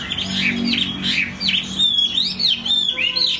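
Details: Loud song of a Chinese hwamei: rolling, arched whistles rising and falling, then a long clear sustained note bending up and down, with fast varied phrases throughout.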